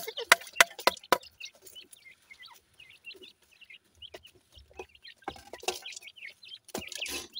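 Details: Baby pheasants feeding on new food, giving short, high, thin chirps in scattered bursts, mixed with sharp pecking taps and clicks, with a few louder clucks near the end.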